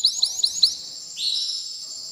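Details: Male canary singing to excite a female for mating: four quick rising whistled chirps, then a sustained high buzzy trill.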